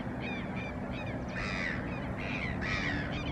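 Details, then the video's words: Great grebe at San Miguel del Monte on 08-07-2020, calling at the start of courtship: harsh, raspy calls in quick bursts, some with rising slurred notes. A steady low rumble runs underneath. "MACA GRANDE - INICIO DE CORTEJO 3"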